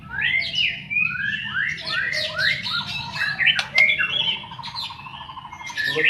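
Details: White-rumped shama song meant to lure shamas to sing: quick series of upslurred whistles repeated about three times a second, then harsh notes and a buzzy rattle, over a low hum.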